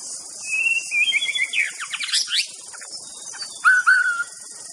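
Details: Rich, varied song of a white-rumped shama: level whistles lead into a quick burst of sharp rising and falling notes, then a lower, mellow whistled ending, all above continuous insect buzzing.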